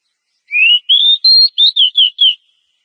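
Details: Oriental magpie-robin female in breeding condition calling to a male: a clean phrase of seven sweet whistled notes, the first rising, the later ones falling slightly, evenly spaced over about two seconds.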